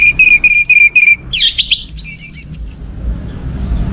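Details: Orange-headed thrush song used as a lure to stimulate other birds: five short even whistled notes in a row, followed by a burst of scratchy high notes and thin very high whistles, then fading.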